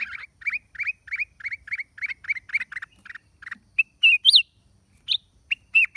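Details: Black-crested bulbul recorded on 29 December 2023: a fast series of short, hooked chirps repeated about four times a second, then a few louder, higher, rising-and-falling notes.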